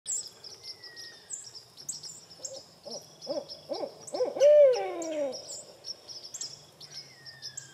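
A barred owl gives a quick run of about six rhythmic, throaty hoots ending in a drawn-out, downslurred note, with faint high chirps and whistles from other birds.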